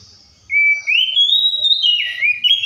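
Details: A single long whistled phrase from an Oriental magpie-robin copying other birds, sliding upward in a smooth rising glide, holding high, then wavering down in looping slurs.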